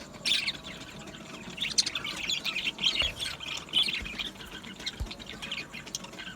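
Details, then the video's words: Aviary budgerigar colony heard at a little distance, soft warbling chirps rising in short clusters over a steady background hiss, with a few brief clicks. "Beautiful Budgie singing and chirping sounds | Budgie parakeets sounds"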